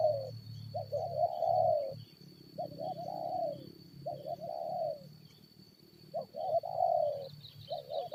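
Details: Spotted dove in a decoy fight with wild forest birds, cooing in phrases of quick short notes that end in a long throaty coo, repeated every couple of seconds over a low background rumble and a thin whine.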